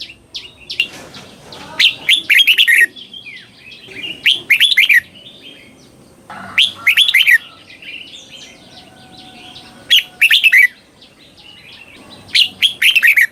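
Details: Red-whiskered bulbul delivering its southern Thai style song for young birds to learn; clear, cheerful warbled phrases of several quick notes repeated roughly every two to three seconds, with light background noise.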